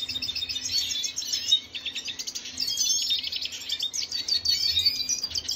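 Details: Red siskin from Venezuela, recorded 25 June 2022, singing a fast, continuous twittering song of high chirps and buzzy trills, with short rising and falling notes and a brief pause midway.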